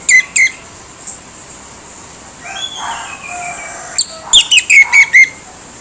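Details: Orange-headed thrush singing a harsh lure song aimed at getting silent birds to respond: two sharp high notes, a pause with a faint warbling background bird, then a run of five or six loud, clipped, ringing chirps.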